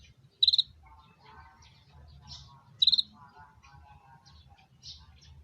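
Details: Konin bird calling in mating: two short bursts of quick pulsed high notes about two and a half seconds apart, with soft lower warbling and twitters between.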